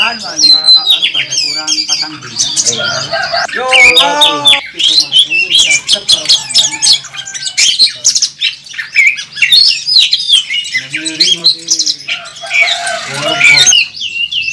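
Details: A contest-winning Oriental magpie-robin (kacer) sings aggressively at a bird contest with a full repertoire of fillers. It gives varied sharp whistles, rattling trills, scratchy notes and quick chirps in a long unbroken stream, with faint background voices.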